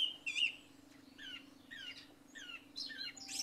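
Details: Early-morning song thrush after a night of rain. It gives clear whistled and slurred notes in quick repeated groups, with a faint steady hum underneath.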